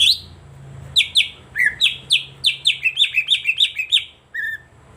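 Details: Green leafbird (cucak ijo) lure song for silent birds: rapid, varied whistled notes sliding downward, repeated about a dozen times, closing with one lower whistle. A faint low hum sits underneath.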